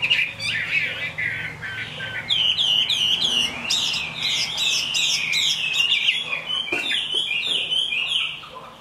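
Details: Rain-time song of a kept Chinese hwamei: descending warbles, then loud sequences of sharp, high, down-slurred whistles repeated rapidly, shifting into varied chattering phrases before fading.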